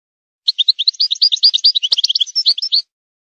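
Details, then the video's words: Continuous bright twittering song of a wild goldfinch, recorded in 2022 to school young goldfinches: rapid, varied, high-pitched chirps and trills run together for over two seconds without background noise. "Wild goldfinch song for young goldfinch schooling"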